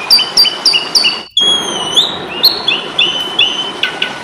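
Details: Fighting-style song of an Asian pied starling, used for training other birds: quick repeated sharp notes, then a long high whistle after a brief pause, followed by rising whistled slurs and chirps.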